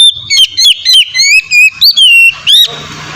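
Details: Melodious Oriental magpie-robin song intended to trigger other magpie-robins to sing: sweeping whistles combined with short clicky notes at a fast pace, with a faint low background hum.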